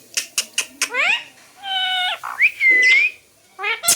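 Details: Talking parrot indoors giving a run of sharp clicks, then rising harmonic squawks, a steady held tone and a clear whistled upward sweep, ending with quick nasal syllables.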